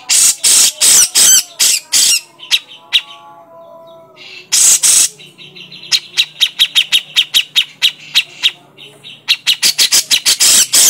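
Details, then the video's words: Grey-cheeked bulbul lure sound: rasping harsh bursts at the start and middle, separated by a quieter tonal stretch, followed by long fast runs of sharp high chips. "pancingan burung cucak jenggot"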